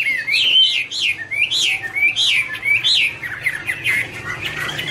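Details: Garrulax canorus singing sharply rising and falling whistled notes, several loud upswept phrases roughly every half second, fading into softer twitters.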